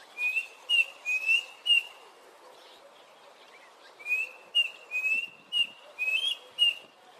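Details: A Red-chested Cuckoo gives loud, clear whistled notes in short runs of three, then a brief pause and another series, with faint clicks and rustles behind.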